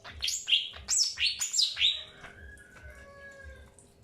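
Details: Greater green leafbird during an early pairing process, giving a quick series of bright chirps that sweep down from high to mid pitch, four to five notes in two seconds, then quieter faint whistled tones fading out.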